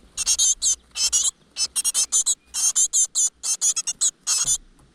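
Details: Nestlings of great tit in a rock crevice, mother delivering food: loud, dense rasping hisses in tight rapid groups, almost unbroken.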